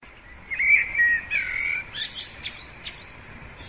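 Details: A male common blackbird (Turdus merula) gives its spring song, a low, mellow fluted warble that breaks into a thin, squeaky twitter at the end of the phrase, with a faint outdoor background.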